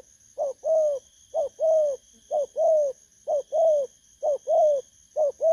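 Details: Caught wild spotted dove with 'bầu' cooing voice delivers regular paired coos, a clipped note followed by a longer hollow one, about once per second, against a thin steady high whine.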